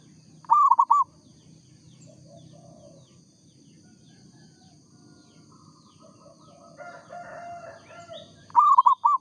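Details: Local zebra dove repeats its short, rolling coo phrase twice, roughly eight seconds apart; between phrases only a soft background with faint, indistinct sounds.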